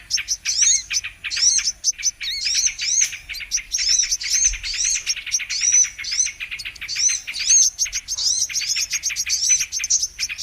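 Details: Brown-throated sunbird in a recording used as a lure for trapping birds: rapid, continuous high twittering with sharp chirps and quick up-and-down sweeping notes, densely packed and barely pausing, with no other clear sounds.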